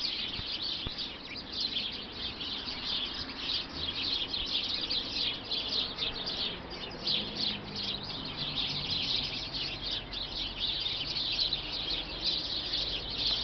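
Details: A flock of sparrows, reckoned at about twenty, hidden inside a bush that is passed a few days a week: a dense, unbroken chorus of high, overlapping chirps and tweets throughout, with a faint low rumble of background noise.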